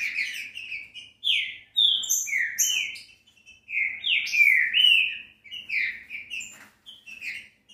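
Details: Stimulating song of a green-winged saltator for a captive bird. Loud, sweet whistles slide between pitches in repeated phrase groups, with clear silences separating the bursts.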